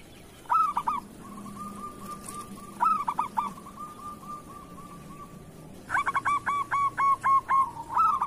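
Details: Local zebra dove singing in kerot style, recorded as a tutor song for other doves: loud stuttered coo bursts, then a long soft purring trill at steady pitch, ending in a rapid run of about nine evenly spaced loud notes.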